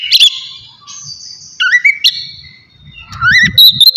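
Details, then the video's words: Oriental magpie-robin in relaxed open song meant to stir emotion and breeding drive: sparse whistled notes, a long steady high tone, then rising slurred phrases, with low rumbling background noise near the end. "TERAPI AWAL KACER NGEPLONG SANTAI COCOK BUAT MANCING EMOSI DAN BIRAHI AGAR KACER CEPAT GACOR"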